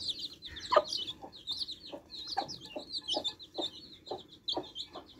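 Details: Baby chicks drinking fresh water cheep almost continuously in thin, high, slightly downslurred notes, while regular short broad ticks sound roughly twice a second underneath.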